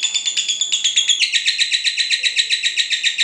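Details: Lovebird in ngekek, the long chattering trill used to provoke other lovebirds and for song training: shrill notes pulsed evenly at about four per second, shifting slightly in tone after a second, unbroken to the end.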